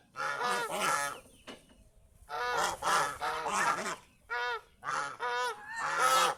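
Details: Kept geese in fields near a house calling in separate clusters of harsh, harmonic honks, with quiet gaps between bouts.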